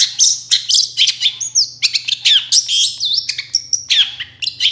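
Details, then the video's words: Long-tailed shrike in lively song, played to lure other shrikes into answering: rapid, dense phrases of thin high whistles, chips and swooping slurred notes with sudden pitch jumps, barely pausing, above a soft steady hum. "CENDET GACOR SUARA AMPUH UNTUK PANCINGAN CENDET MANAPUN AUTO NYAUT BUNYI"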